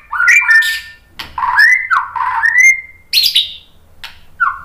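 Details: White-rumped shama song meant to stimulate other shamas: rich warbled whistles, upslurred and downslurred, with scratchy bursts between phrases and a short final whistle.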